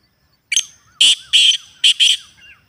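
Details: Natural Black francolin call for encouraging caged birds to call: five harsh buzzy notes in a short-then-paired pattern, with faint soft curling whistles from other birds behind.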